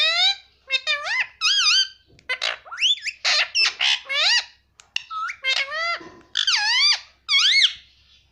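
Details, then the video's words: Pet Indian ringneck parakeet talking, repeating "mummy" over and over in a high, nasal, parrot-like voice; short syllables with rising and falling pitch, bursts close together with brief pauses, indoors. "cute Indian ringneck parrot talking || no stop mummy bolne vala"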